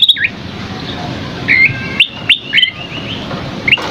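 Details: Scaly-crowned babbler, recorded as masteran tutoring material, gives clear separate whistles. Each note is a bright slurred rise or fall, spaced about half a second apart, over faint steady background noise.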